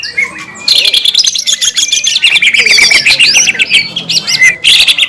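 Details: Green leafbird in vigorous 'gacor' song, used as a lure to provoke other green leafbirds: after a quiet start, a dense, fast stream of high twittering, slurred whistles and chattering notes runs almost without pause.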